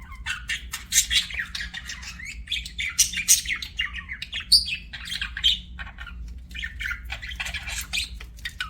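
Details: Continuous budgerigar chatter: rapid, high, buzzy tweets and clicks tumbling over one another with loud sharp peaks, a faint steady hum below.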